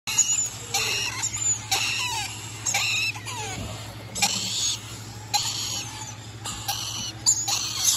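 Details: Rainbow lorikeet giving harsh, raspy screeching bursts, each short and noisy, repeated irregularly about every half second to a second, over a steady low electrical hum.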